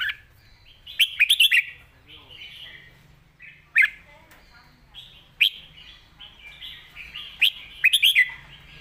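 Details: Red-whiskered bulbul delivering its master song, loud and clear: rapid clusters of sharp chirps, then single emphatic bright notes roughly every one to two seconds, linked by soft warbling, over a low steady hum.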